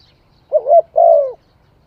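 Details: One cooing phrase from a spotted dove: a short wavering note, then a drawn-out soft coo that slides down at its close. No other sounds are heard.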